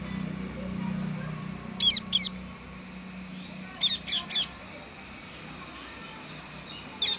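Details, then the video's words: Parrot eating corn in its cage; sparse pairs and triplets of sharp, high squawks separated by long quiet gaps, with a low steady hum beneath. "Natural Parrot Voice"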